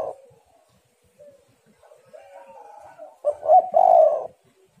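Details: Aroused female spotted dove, whose voice is used to lure and stimulate males, giving soft low hollow coos that build into a louder, throaty rolling coo phrase near the end.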